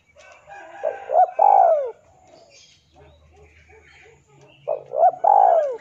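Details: Male spotted dove challenging a rival, a call used as a lure: two full three-part phrases, a short coo, a quick hitch and a long mellow falling coo, separated by about three seconds of faint background sounds.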